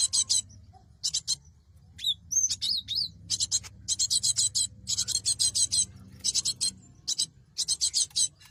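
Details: Cinereous tit used as a trapping lure, giving repeated runs of rasping high buzzy notes, broken near the middle by a few thin clear whistles and slurred chirps, then more rasping bursts.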